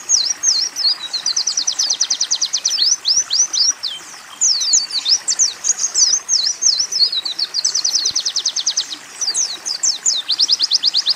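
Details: Oriental white-eye training recording carrying canary and sunbird phrases: bright, high, nonstop song switching between rapid even trills and bursts of sharp slurred notes, with a faint hiss beneath.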